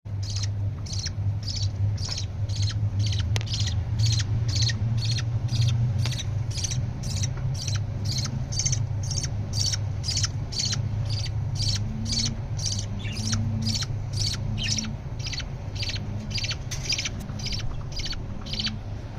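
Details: Budgerigar chicks being fed by their parents beg with short raspy chirps, repeated about twice a second over a steady low hum.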